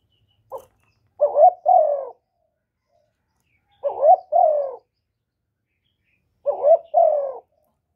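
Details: Spotted dove calling, meant to spur males into calling. A faint single note is followed by three well-spaced double coos, each pair a short rising note and then a longer, descending, hoarse coo, with silence between.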